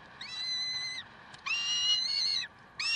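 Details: At Karlsruhe, 30 May 2010, 7:27, peregrine falcons give long drawn-out rasping wails, each held about a second, rich in overtones and fairly level in pitch; two full cries and the start of a third, with a constant background hum.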